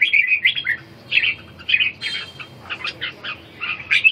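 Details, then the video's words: Caged red-whiskered bulbul singing in the fourth round of a bird-singing competition at Ha Dong, Vietnam: bright, warbled phrases repeated in quick bursts about every half second, with rising and falling whistled notes and short pauses between. "Nghe an vong 4 thi cm 2 o hadong"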